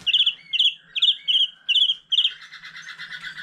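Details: Mature wild-caught white-rumped shama singing with a laughingthrush: bright, high chattering note groups repeated roughly twice a second, softer lower whistles between, ending in a fast buzzy rattling trill.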